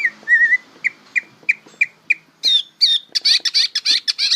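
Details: Young greater green leafbird learning its song: a wavering whistle, then spaced single whistled notes, breaking into loud, high, buzzy chirped phrases repeated quickly.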